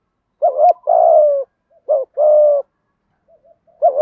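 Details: Male and female spotted doves cooing, a recording used to lure wild doves into answering: low paired coos, a short bent note then a longer steady drawn-out one, repeated three times with clean silent gaps.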